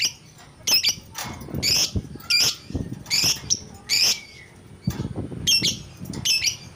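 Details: Excited lovebird singing hard: a lively run of about ten shrill, grating squawks and chattering bursts in irregular quick succession, some doubled, with a thin rising whistle near the middle and low thumping noise underneath.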